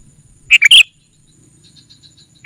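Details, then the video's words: Sooty-headed bulbul calling to lure wild rival birds: a fast three-note bubbly chirp phrase, a pause of faint high twittering, then the start of another bright note. "Suara Burung Kutilang Pikat GACOR SUKSES Memanggil Lawan! Kutilang Liar Auto Kumpul"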